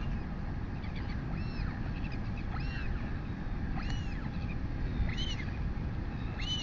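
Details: Royal albatross chick on a New Zealand nest, filmed by a live nest camera at 11:24 am on 23 August 2020 while being fed by its mother; arched, rising-then-falling squeaky calls come every second or so over steady wind rumble.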